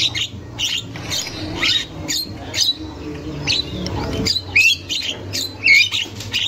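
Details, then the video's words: Javan myna singing in the wild as a lure for young birds. Scratchy squawks roughly once a second, then clear rising whistled notes near the end, with a low rumble underneath. "Burung Jalak Kebo Super Gacor Untuk Pancingan Jalak Kebo Muda"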